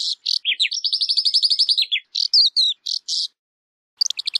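Calandra lark song, a fast jumble of high chirps, trills and buzzy notes, with a rapid rolling trill in the middle and short pauses between phrases.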